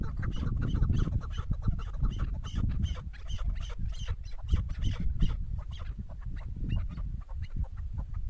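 A female chukar gives a rapid run of clucking chuck notes, several per second, over heavy low rumbling background noise.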